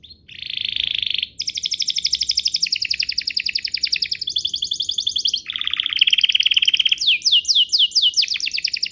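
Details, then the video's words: Lure song of a canary, played to make other canaries start singing: long unbroken rolling trills that shift pitch from section to section, finishing with fast repeated swept notes. "Pancingan Burung Kenari agar CEPAT BUNYI, terbukti ampuh bikin burung kenari lain nyaut"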